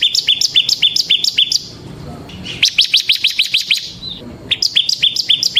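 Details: Semi-type bar-winged prinia singing ngebren, used as a training lure: bursts of rapid, high, ringing chips and downslurred notes, broken by two short quiet gaps filled with low background murmur.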